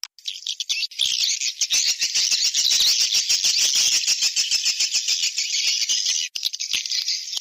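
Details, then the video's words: Swiftlet lure call played to attract birds to a nest house, the 'seruling sakti' style: dense, continuous high twittering with rapid clicking pulses, unbroken for several seconds. "Suara panggil sp walet seruling sakti"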